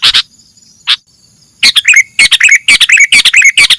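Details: Sooty-headed bulbul song used as a lure to attract birds: after a near-silent start, a busy run of short, sharp chirps and clicky notes, some with bright whistled tails, packed closely together.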